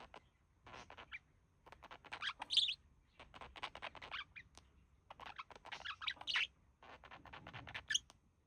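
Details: Pair of pet budgerigars relaxing, the male mimicking human speech; steady run of soft scratchy chattering notes broken by short pauses, with a few brighter squeaky chirps.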